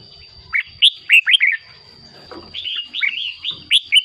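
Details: Red-whiskered bulbul song played to excite caged birds; short bubbly whistled phrases of rolling, slurred notes, with a steady faint high tone behind and some low background rumble.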